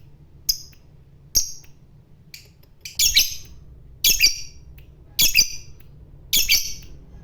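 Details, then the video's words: Lovebird, a fighter bird, giving sharp high chattering bursts spaced about a second apart, each a harsh buzzy squawk with a brief trill; low background hum. "Burung Labet Ngekek Fighter"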